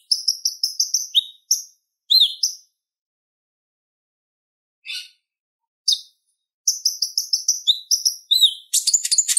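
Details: Song of a purple-throated sunbird (konin) for tutoring other songbirds. Runs of high repeated chirps frame a long quiet stretch with a few isolated notes. Singing then resumes and ends in a dense, rapid high twitter.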